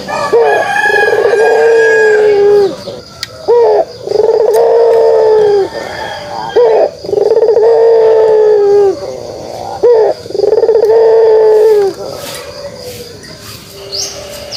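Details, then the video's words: Pelung dove repeating its kugeruk coo: five long, low, vibrating coos, each about one and a half seconds, separated by short pauses, with a brief rolling lead-in before each. "suara kugeruk burung puter pelung"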